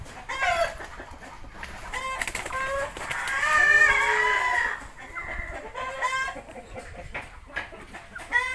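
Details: Young Indio Gigante chickens, three months old, calling: hoarse, harmonic squawks and a long, drawn-out, wavering crow-like note in the middle, amid other clucks and background noise.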